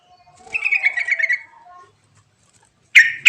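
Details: Yellow-vented bulbul song, used to stimulate lazy bulbuls to sing: a bubbly, warbled phrase of quick mid-pitched notes lasting about a second, then silence and two loud harsh bursts at the end.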